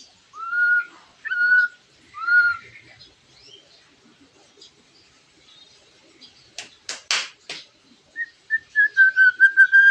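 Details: White-rumped shama imitating a lovebird, its song used to provoke other birds into singing; clear slurred whistles in short phrases, a pause, a burst of harsh broadband notes, then a rapid string of repeated whistled notes.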